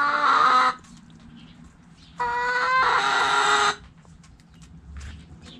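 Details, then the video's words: Roosters crowing in a backyard chicken coop: two loud, harsh, strongly harmonic crows, the first short, the second longer with a rising then held tone, quiet scratchy coop noise between them. "Hens Clucking Roosters Crowing!"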